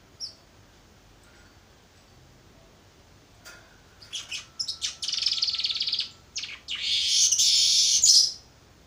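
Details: Young Baya weaver practising its song: a few isolated chirps, then a build-up of stuttering notes into long, loud buzzing trills in the final seconds.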